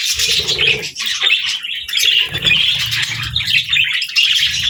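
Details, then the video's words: Playful pet budgies alongside lovebirds keep up nonstop chirps and scratchy chatter, with some harsher squawk-like notes and low rustling sounds. "Funny Budgies Love Birds Chirping Sounds"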